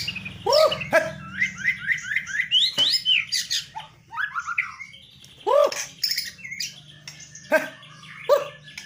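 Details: White-rumped shama, a kept songbird known for its bowing posture and rich filler phrases, sings loud arched low whistles, a run of quick repeated rising notes near the middle, and sharp high chips, with a steady low hum behind.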